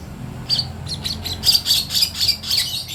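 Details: Young lovebird chick learning to make sounds: a run of thin, high chirps and squeaky notes, repeated every fraction of a second and growing stronger after a brief start, over a faint low hum.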